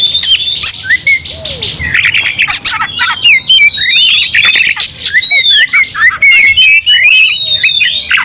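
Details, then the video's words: Oriental magpie-robin pushed into aggression, answered angrily by another of its kind, sings an extended, varied mix of buzzy rasps, upward and downward whistled slurs and quick chips, dense and loud throughout. "dalam sekejap Kacer langsung TARUNG bongkar emosi bikin kacer lain ikut dongkrak amarah kesurupan"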